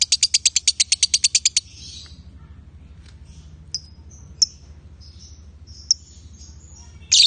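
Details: Lovebirds, a male and a female, open with a fast burst of about a dozen clipped high notes, then fall to scattered single thin chirps and a closing squeak.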